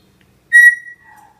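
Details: A pet Senegal parrot, trained to whistle on command and being told to whistle, gives one clear, steady, high pure whistle of about half a second, then a faint lower tone trails off.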